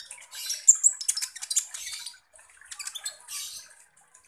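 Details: Lure recording of a lively kolibri ninja sunbird meant to provoke other birds: a scratchy burst of rapid high chirps for two seconds, a pause with faint ticks, then another short chattering phrase.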